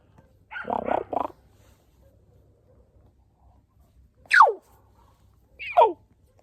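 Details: Common raven, a pet bird, answering a person in a short exchange: a harsh rasping croak, then two sharp descending squawks after a pause. No other sounds.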